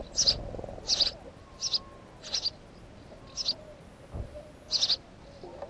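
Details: House sparrow calling with short, bright chirps, each a tight double or triple note, delivered about once a second; six chirps in total over a quiet background with a faint low thud.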